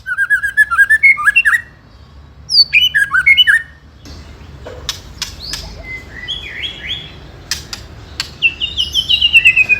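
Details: White-rumped shama song in the ketrekan style, used as a lure to provoke rival birds: clear whistled phrases rising and falling, then sharp dry clicks with bright upslurred notes.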